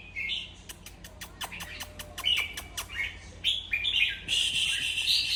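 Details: Red-whiskered bulbul sounds meant to excite other bulbuls: short bright chirps and whistled notes around the upper-middle range, mixed with sharp clicking ticks and a later dense, buzzy chatter, with a low steady hum underneath.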